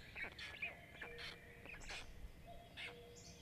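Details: Five black stork chicks begging while being fed at a nest in Jõgeva County, Estonia, late May; short scattered chirps and squeaky notes over a low background hum, with a faint steady tone.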